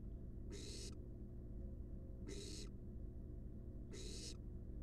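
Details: Wild barn owl nestlings resting inside a research nest box produce three harsh, noisy hisses spaced nearly two seconds apart, with constant low background hum.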